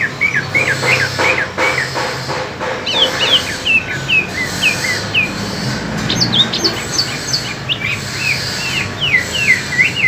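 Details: Two greater green leafbirds, from East Kalimantan and Alas Purwo in Banyuwangi (a spotted type), compete in song. Varied whistled phrases of swooping, rising and falling notes come in rapid bursts, with a faint steady hiss behind.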